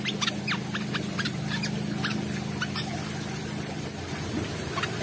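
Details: Brown-throated sunbird singing vigorously with open beak: rapid series of sharp, high, downward-sliding chirps, about two per second, over a steady low mechanical hum.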